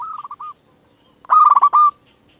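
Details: Zebra dove of local stock, a decoy singer meant to stir other doves into replying. A faint, broken trill fades out, then a loud, rapid, rolling coo phrase of pulsed notes ends in a sustained tone.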